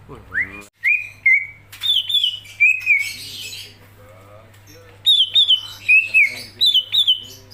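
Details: Greater green leafbird in full, energetic song: loud, clear whistled phrases, some rising and some wavering, come in quick groups separated by short pauses, with a steady low hum behind.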